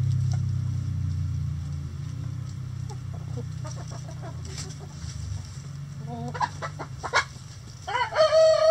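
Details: Chickens in a coop: quiet scattered clucks, then a quick burst of louder clucking notes, ending as a rooster begins a strong crow.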